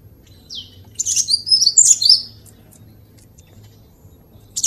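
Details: Cinereous tit tutor recording: a thin high slur, then a short flurry of sharp, very high twittering notes, quiet again, and a final chirp at the end.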